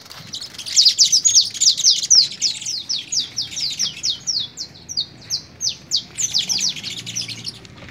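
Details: Canary during fogueo song training in Pelaya, Cesar, delivering a steady run of quick high downslurred chirps, roughly four per second, in a continuous energetic phrase with soft background chatter.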